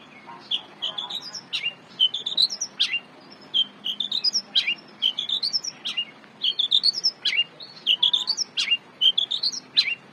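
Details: Long-tailed shrike singing steadily for use as a master song to train cage birds: a phrase of several sharp rising whistled notes is repeated roughly every second, loud and clear against a quiet background.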